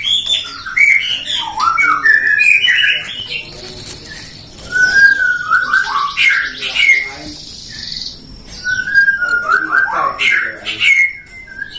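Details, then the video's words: White-rumped shama raised by a songbird hobbyist in Depok, Indonesia: varied song of rapid whistled phrases and warbles with scratchy trills, coming in bursts separated by short gaps. "Burung Murai suara kicaunya gacor"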